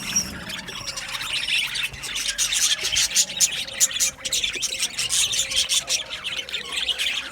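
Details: Budgies chirping in an aviary colony, with scratchy, buzzy chatter and sharp squeaks repeated rapidly, coming in loud pulsing bursts from several birds at once.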